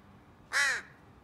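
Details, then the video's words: Crow around nesting time, with a female displaying to a male in courtship, gives a single loud harsh caw lasting about a third of a second, over a low background hum. "Crow courtship behavior before nesting"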